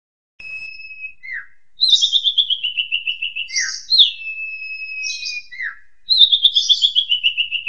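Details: Asian pied starling master song for training young birds: long steady high whistles alternating with fast descending trilled runs, short downslurred notes between, clean background.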